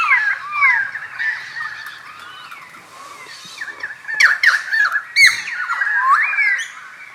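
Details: Pied currawong calling at Takarakka Bush Resort, Carnarvon Gorge, Queensland, Australia, late morning on 21 July 2019; loud ringing whistles slurring up and down, interlaced with harsh squawky notes and a few overlapping calls.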